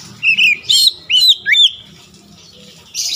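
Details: Oriental magpie-robin song meant to provoke other magpie-robins into heated singing: five loud whistled phrases in quick succession, some sliding down and some rising, followed by a quieter stretch and a final hissy burst, over low background rumble.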